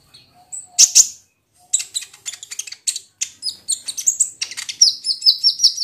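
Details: Sunda pygmy woodpecker, kolibri ninja, lure sound to trigger singing: scattered sharp notes building into a rapid chattering series, ending in a string of quick repeated high whistles.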